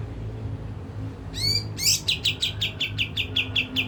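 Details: Kapas tembak bulbul, played as a lure to get it agitated and singing: a rapid run of sharp, high chirped notes, repeated about two to three times per second after a couple of opening slurred notes, over low background hum.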